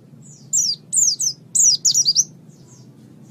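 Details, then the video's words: Pleci, Japanese white-eye, singing gacor (vigorously): thin, high, sweeping twittered notes that slide downward, in two short bursts around a brief pause, with a low steady hum beneath. "Suara Burung Pleci | Gacor"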